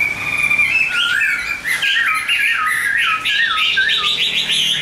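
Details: Singing caged Chinese hwamei: a steady high whistle, then quick bubbling slurred notes and rising whistles strung closely together, loud and clear over a quiet room.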